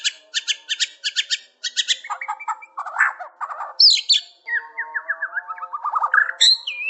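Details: White-rumped shama singing energetically: rapid repeated harsh chattering notes, then varied whistled phrases, buzzy trills and sweeping rising and falling notes in a rich, continuous mimicking sequence.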